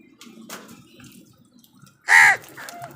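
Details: Crow fighting with wild birds for food: one loud, harsh, hoarse caw in the middle of the recording, with faint rustling and scattered clicks around it.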